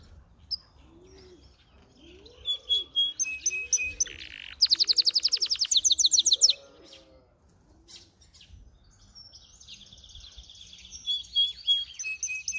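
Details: Singing hybrid of brambling and canary, with scattered high chirps building to a loud, very fast rattling trill, then softer twittering phrases. Low cooing sounds repeat in the background.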